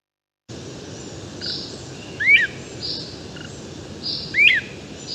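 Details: Great Crested Flycatcher recorded from directly beneath it at the crack of dawn as it began its dawn song: two loud, whistled, rising-then-falling rip calls about two seconds apart, with faint low-pitched trilled notes between them, over steady background hiss.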